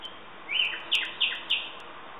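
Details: Common nightingale singing: a series of short bright notes, each a high sweep that falls into a lower tail, about three phrases in under two seconds against a steady hiss.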